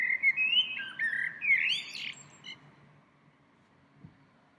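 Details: Springtime songbird returning to its tree several times daily: a run of fluid, warbling whistled notes sliding up and down for about two and a half seconds, then fading into quiet background hum.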